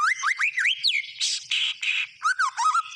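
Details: Short burst of white-rumped shama gacor song: rising whistled swoops, a few rough buzzy blasts, then low looping warbled notes.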